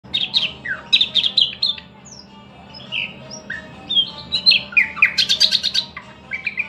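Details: Thrush nightingale singing a varied song: short bursts of high chirps and sliding whistled notes, some falling, others rising, with a brief quiet gap midway before a denser run of sharp, rapid notes near the end.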